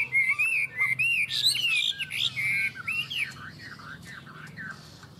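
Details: Two Chinese hwamei in a singing duel: clear whistled phrases with looping up-and-down notes, delivered in quick bursts that gradually fade and soften toward the end.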